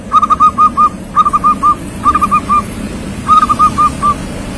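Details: Young local zebra dove singing steadily, phrases of four or five soft, rounded whistled coos, the last note drawn out, repeated about once a second over a low background rumble.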